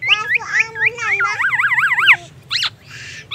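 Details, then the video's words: Black-naped oriole copying an ambulance siren and magpie robin: quick warbled chirps leading into a loud wavering wail that rises and falls rapidly, then brief sharp high notes over low hum. "Kepodang emas gacor bongkar isian murai batu dan suara ambulance"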